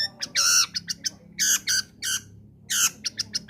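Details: Long-tailed shrike giving loud, harsh, grating squawks within its combination song, used to prompt lazy shrikes to sing; the rasping bursts alternate with short chirps over a faint low hum.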